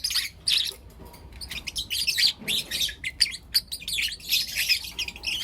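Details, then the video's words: Four young lutino lovebirds chirping in the morning: dense bursts of high, rapid, scratchy chirps overlapping, with brief pauses between clusters and faint low background hum. "Lutino LoveBird Chirping Sounds"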